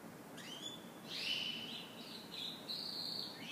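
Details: Canary singing in the morning, a bright, high, unbroken run of warbles, rolling trills and clear whistled notes, shifting pitch every half second or so over faint background hiss.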